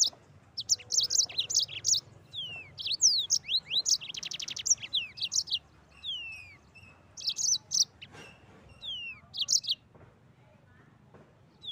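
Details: Energetic rolling 'ngeroll' song from a Mozambique canary: a long, almost continuous stream of high twitters, slurred whistles and a buzzy trill, with brief pauses between lively phrases.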